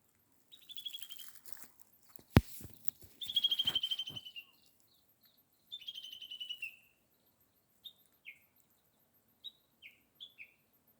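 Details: Small bird calling: three bright, rapidly trilled phrases that slide downward, each lasting about a second, followed by a run of short, separate, downslurred chirps. One sharp knock is heard early on, and the background is otherwise quiet.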